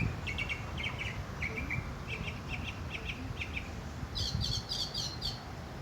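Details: Northern mockingbird singing in a pear tree in Salinas, California, a species known to mimic other birds; short repeated chirpy phrases, each given two to four times, ending in a higher series, over low rumbling background noise.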